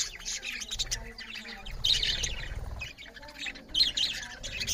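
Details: Budgerigar parrots chatter loudly as they eat: bursts of harsh squawky chirps swell around the second and fourth seconds over a steady background twitter and faint low rumble.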